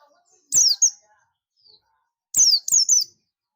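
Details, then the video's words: Buxtoni Oriental white-eye giving its companion-summoning ngalas call: a pair of shrill, falling chirps, then a faster run of three after a brief pause, with faint soft sounds behind. "pleci buxtomi ngalas ‼️ pleci lain pasti ikut ngalas"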